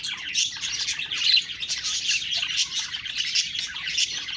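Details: Budgerigar chatter: a continuous, bright tangle of high twittering chirps and scratchy warbled phrases with occasional thin whistled notes.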